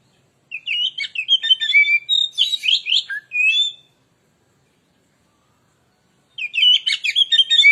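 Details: Oriental magpie-robin, kept songbird, singing continuously as a lure to provoke other birds: fast varied phrases of sweet whistles and buzzy chirps, two bursts separated by a three-second silence.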